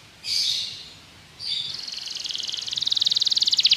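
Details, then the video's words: Belgian canary singing as a training song for other canaries: two short buzzy bursts, then a fast trill that speeds up and grows louder, rattling many times per second toward the end. "Canário belga seduz todos os canários para cantar - treinamento de canário"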